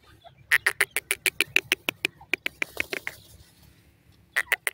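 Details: Caged female partridge: a rapid, slightly uneven string of sharp clucking notes, about five per second, breaking off briefly before three more, over a low background hum.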